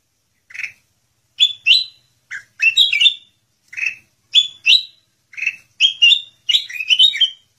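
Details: Sooty-headed bulbul (Pycnonotus aurigaster) singing short, bubbly whistled phrases about one each second, climbing and tumbling in quick doubled notes against a quiet background.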